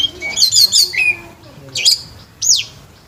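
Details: Scarlet myzomela singing a fast twittering phrase of high chirps, then two separate sharp downward-sweeping notes after short pauses.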